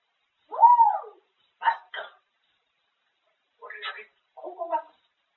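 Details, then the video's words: Pet grey parrot chattering nonstop about food indoors: a few word-like syllables, with one long arching, voice-like phrase followed by short clipped bursts and pauses. "쉴새없이 떠드는데 다 먹는 이야기"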